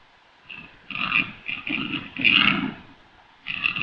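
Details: Rackelwild, a black grouse and capercaillie hybrid, giving rough croaking, grunting bursts in several separate phrases, each with a harsh upper rasp over a low throaty rumble, with short quiet gaps between.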